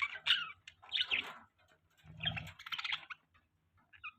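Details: Budgies chirping while mating: bursts of scratchy warbling chatter and short chirps from the birds, with soft gaps between bouts and a low rumbling thud in the middle.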